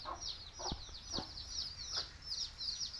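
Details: Chicks of a native Tamil chicken breed give overlapping bright, falling cheeps while the mother hen clucks a few times, calling them to eat.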